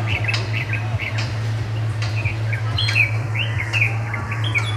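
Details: A bulbul's mating song: quick, bright chirps and slurred whistled notes in short bursts, over a steady low electrical hum.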